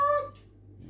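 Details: Pet male African grey parrot, chatting at home with his owner and another bird, gives a brief, nasal, harmonic cluck-like sound, then a short sharp hiss, over a quiet room hum.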